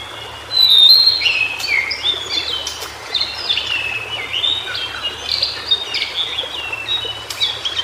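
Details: Wild white-browed shortwing song in natural habitat: a loud opening, then a fast, jumbled series of sweet high whistles, about three notes per second, rising and falling irregularly, with soft hiss behind.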